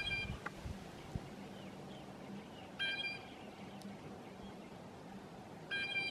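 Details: Blue jays calling among maple trees about every three seconds with harsh, nasal, ringing notes. Faint peeping from a flock of grosbeaks eating maple seeds and a low rumble sit underneath.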